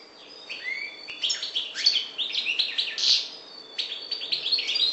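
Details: European goldfinch of the parva subspecies from the Maghreb singing a fast, dense twitter of bright chirps, short buzzy notes and clear whistled slurs, high-pitched and almost unbroken across five seconds, with a faint hum beneath.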